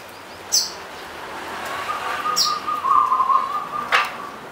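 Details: Local zebra dove (perkutut) of the punden type from the slopes of Mount Slamet, Banyumas, singing: one long, fast-trilled, mid-pitched cooing phrase lasting over two seconds. Sharp high chirps from another bird come before it.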